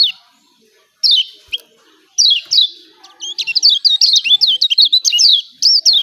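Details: Kecial kuning, the Lombok yellow white-eye, giving 'ciak ciak' calls meant to provoke silent birds into singing: a few separate sharp descending chirps, then a dense run of quick high twittering notes.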